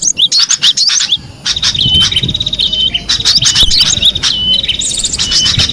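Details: Cinereous tit singing in the wild: a run of high, sharp whistled notes with quick upward and downward slurs, then a long steady whistle. Buzzy chirps from other birds overlap throughout.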